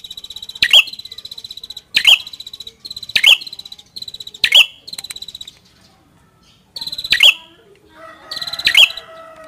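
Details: Red-headed prinia (prenjak kepala merah) gives a high, dry, buzzing phrase with a sharp note, repeated about every second and a half; another lower bird call joins near the end.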